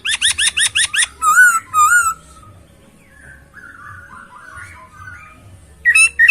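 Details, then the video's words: Masked laughingthrush, a caged songbird, opens with a fast series of rattling chirps, then rich wavering whistles, a quiet stretch of soft notes, and ends with loud whistled phrases. "Poksay Hongkong isian suara jernih dan mewah"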